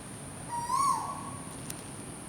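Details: Bird calling in the morning: one clear tonal note of about half a second that rises slightly, then holds and fades, with faint overtones. A steady high-pitched hum and soft background noise run throughout.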